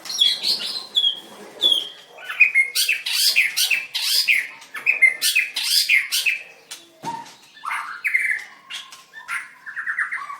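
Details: White-rumped shama, a singing contest winner recorded 7/25/16, dancing and singing hard: a rich run of varied whistles and fast chirps, some phrases sliding down, others stacked in quick bursts, with brief pauses between.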